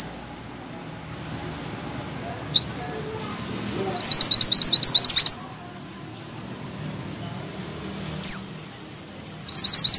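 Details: Mantenan gunung bushchat singing vigorously: a rapid, very high, tightly rolled trill of about a second and a half, a single sharp downslurred note, then a new trill starting at the end.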